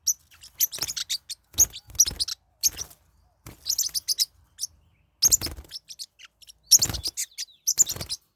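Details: Squabbling pet forpus parrotlets: dense clusters of shrill high chirps repeated roughly every second, each cluster overlaid with rough scuffling and wing noise.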